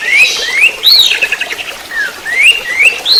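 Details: Orange-headed thrush in trotol-style song, a tutor and lure recording: clear upslurred and arched whistles repeated in quick succession, with softer warbled notes between them.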